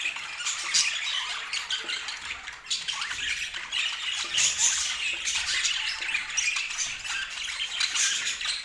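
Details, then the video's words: Many budgerigars chatter nonstop, a mix of harsh squawks, bright chirps and rapid trills that rises and falls in loudness from moment to moment. "O Som dos Periquitos"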